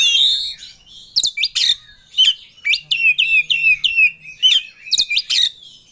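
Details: Caged Oriental magpie-robin singing with full emotion as if seeking a rival: rich, varied whistled phrases with sharp upward sweeps and slurred notes, delivered in quick bursts separated by short pauses.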